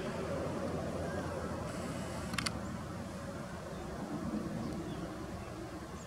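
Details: Steady low rumbling outdoor noise, like wind or distant traffic, with one brief sharp click near the middle and no animal call heard.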